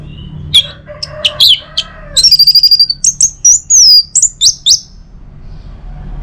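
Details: Orange-headed thrush song, played in the morning to prompt other birds to sing: a varied run of loud, high whistled notes, sharp chirps and quick trilled bursts in close succession, with a lower buzzy phrase early on.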